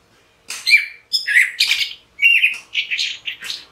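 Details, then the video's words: Orange-headed thrush singing three rich, varied phrases of fluty and scratchy notes, mid-high in pitch, in quick succession with brief pauses between them. "Orange-headed thrush Call | Voice | Song | Signing"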